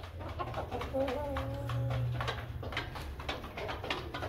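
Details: Light Columbian Brahma chicken on a chicken farm gives a drawn-out, wavering, mid-pitched call lasting about a second, among scattered clicks and scuffs over a low background hum.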